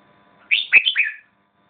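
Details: A single short, sweet phrase from a red-whiskered bulbul: three quick whistled notes that dip and rise, lasting under a second.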